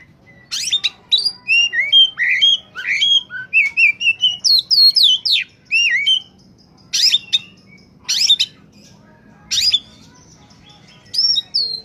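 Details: Oriental magpie-robin (kacer) singing in peak form, used as a lure for wild birds: loud, clear whistled phrases, sweeping up and down, with sharp high notes, then spaced single bursts separated by quiet gaps.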